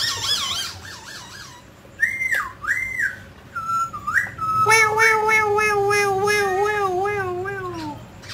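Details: Grey laughingthrush, a mutant bird singing and dancing, gives quick wavering whistles, looping slurred notes, then a long, rich, slowly falling harmonic whistle lasting several seconds.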